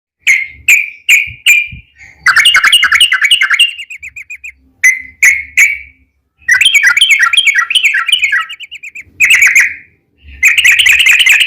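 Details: Yellow-vented bulbul song used as a lure to make other bulbuls sing: spaced sharp clear notes alternate with bursts of bubbly, chattering phrases, the pattern repeating twice, then a final buzzy burst.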